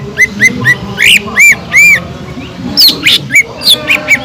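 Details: Green leafbird lure song for rousing listless birds: three even whistled arcs, louder swelling whistles, then sharp high squeaks in quick succession.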